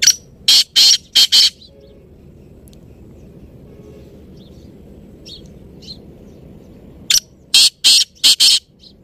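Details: Black francolin, known locally as kala teetar, giving its harsh, grating call. Two bursts of four or five loud, scratchy clicking notes are separated by a quiet stretch of about six seconds with faint distant chirps.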